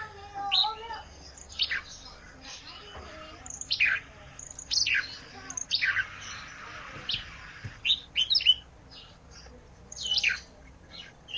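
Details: Olive-backed tailorbird singing vigorously, an isian (filler) recording: a busy series of short high chirps and sharp down-slurred notes in irregular bursts, with brief lower whistled slides at the start and a quiet background.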